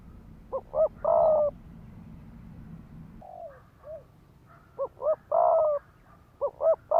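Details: Spotted dove decoy delivering 'thúc gù' cooing to stir fighting spirit in males: short double notes then a prolonged coo, repeated, with a faint softer falling call from another bird in the gap.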